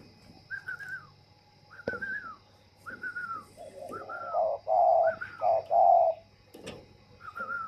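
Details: Moulting spotted dove in captivity at a bird garden in Ba Vì district, Hanoi, Vietnam, cooing strongly: a run of deep, rounded coo phrases mid-clip, surrounded by repeated higher whistled notes from another bird and a sharp knock.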